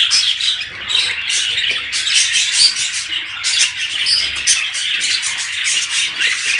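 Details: Continuous budgerigar chatter, offered as a breeding stimulus: many small voices overlapping in buzzy warbles and sharp tweets, rhythmic surges of louder chirping every half second or so.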